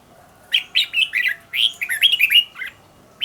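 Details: A red-whiskered bulbul used as a trained decoy sings a lively run of rolling, warbled whistles in quick succession, dipping and rising in pitch, then a lone note at the end.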